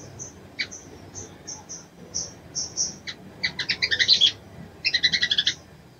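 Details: Spaced thin high notes from a female little spiderhunter calling the male, building into two quick chattering bursts near the end.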